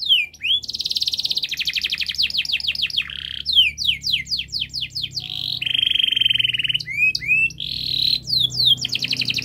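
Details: Local canary with long, fast, tightly packed song, used to coax juvenile canaries into singing. Alternating sections of rapid trills and bursts of falling slurred notes, a long steady trill mid-clip and upswept chips, over a low background hum.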